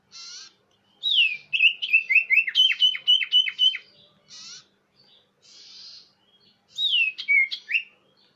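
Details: Common iora lure call, clear and loud: a varied chatter of slurred whistles and rapid buzzy notes, with short pauses and a final phrase of descending slurs.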